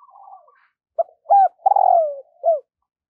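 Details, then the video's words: Spotted dove decoy calling wild birds in the morning: soft opening notes, then two short hooked coos, a long rolling coo sliding downward, and a final short note. "Tiếng chim cu gáy thúc và gáy gọi bổi vào buổi sáng"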